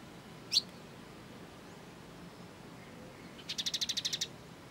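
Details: Kolibri ninja sunbird, recorded as training song for cage birds: one sharp, loud high note, a pause, then a rapid high trill of about nine evenly pulsed notes.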